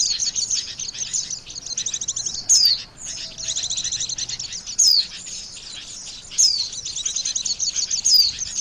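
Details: Lure call of Oriental white-eye for bird trapping, a steady high twittering chatter broken every couple of seconds by a bright, sharply falling whistled note.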